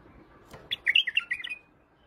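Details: Single phrase from a white-eared bulbul in Iraq: a quick run of bright, bubbly whistled notes descending slightly, closing with a short trailing trill, over faint low background noise.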